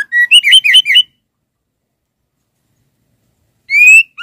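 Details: Female white-rumped shama calling to the male: a quick burst of five or six clear whistled notes jumping between low and high, a pause of over two seconds, then one long rising whistle and a final note.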